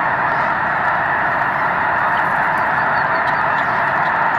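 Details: Massive takeoff of snow geese at dawn in March, hundreds of thousands present: an overwhelming, steady chorus of overlapping honks, a few higher calls faintly standing out above the din.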